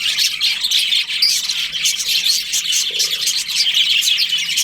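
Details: Budgerigars in a breeding colony during the breeding season, chattering continuously with dense, high warbling chirps and short squawks that overlap without pause, a steady busy flock din.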